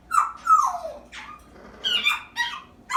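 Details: Pet African grey parrot, an 8-month-old female, imitating the whining of a household dog indoors; a series of sliding, nasal whines that drop in pitch, then short higher squeaky bursts, six in about three seconds.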